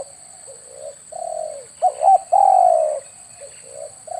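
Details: Spotted dove lure call, used to attract doves when hunting with an air rifle: soft low coos, then two short hooked notes and a long, drawn-out falling coo, ending in quieter coos under a steady thin high electronic whine.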